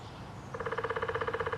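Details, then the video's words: Downy Woodpecker at Lake Dallas, Texas, drumming a quick, even roll of about twenty ringing taps in roughly a second, with a hollow resonant tone over a quiet background. "Downy Woodpecker drumming"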